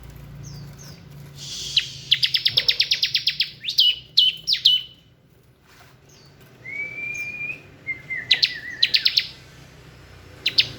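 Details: Bar-winged prinia (ciblek) singing in the ngebren style: rapid bursts of sharp, buzzy chip notes, each burst about ten quick strokes, separated by pauses, with a thin level whistle and sliding notes between bursts.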